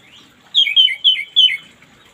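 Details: Orange-headed thrush in the morning gives a rich, clear whistled phrase of four linked notes, each sliding downward, heard against near silence.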